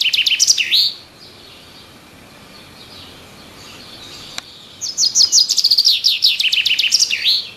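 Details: Birds in the trees give a brief burst of high chirps ending in a downslurred note, then near-quiet with one sharp click, before a longer rapid series of bright repeated chirps returns.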